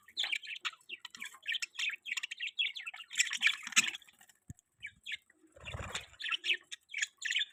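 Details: Budgerigars in an outdoor aviary give lively chirping: repeated short buzzy notes in a steady stream, with a soft rustle partway through.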